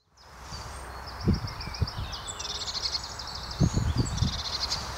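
Eurasian blue tit giving a short run of thin, high notes, then buzzy, churring trills, over low rustling and thumping noises.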